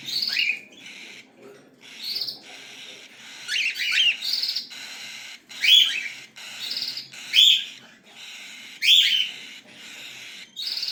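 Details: Cockatiel chicks beg with a chorus of short rasping bursts and sharp rising squeaks, repeated about every second, some overlapping in quick clusters.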